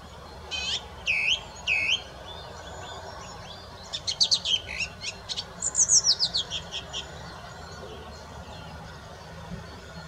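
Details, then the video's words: Song thrush singing: loud repeated whistled phrases, two similar swooping notes near the start, then a rapid burst of sharp clicking notes and a descending trill of high, thin notes, over faint background hiss. "Songtrush / Song - Singdrossel / Gesang"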